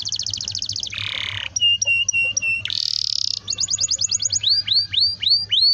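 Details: Long rolling canary song used as a prompt for young canaries: a fast repeated trill, a harsh buzz, steady whistled tones broken by clicks, another loud buzz, then a rapid trill and looping rising whistles.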